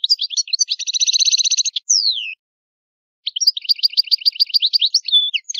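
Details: Old-style Italian song of a European goldfinch: twittering leading into a buzzy trill and falling whistle, a short pause, then a second bout of rapid jingling notes.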